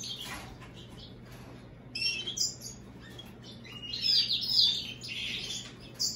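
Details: Song of an American goldfinch × European greenfinch hybrid: scattered high chirps at first, then a louder run of rapid twittering and buzzes, with a low background hum.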